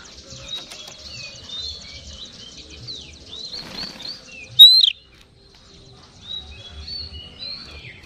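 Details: Oriental magpie-robin song used as a lure to excite other magpie-robins: varied whistled phrases, rising and falling slurs and short chirps in a steady run, one sharp loud note near the middle, a soft rustle, low background hum.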